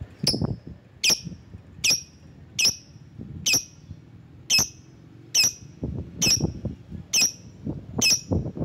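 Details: Lovebird calling rivals: sharp, shrill, high chirps repeated regularly about every 0.8 seconds, with low rumbling noise in the background.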